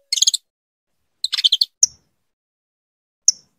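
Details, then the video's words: Female saffron finch calling persistently to her mate to bring him into breeding condition: short bursts of rapid, harsh chattering notes, then single sharp high chips spaced apart. "Fêmea de canário da terra chamando muito para esquentar e foquear seu canário da terra."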